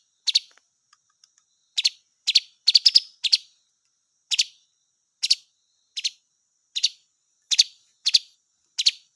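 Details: Blue magpie calling: a series of sharp, short, high chip notes, mostly single, spaced about half a second to a second apart, with a quick cluster of three near the start, in otherwise quiet surroundings.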